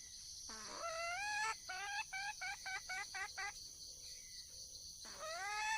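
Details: Red junglefowl hen, wild, calling to find a male: a rising opening note, then a quick string of short, bright clucking notes, a pause, and another upward-sliding note over constant insect buzzing.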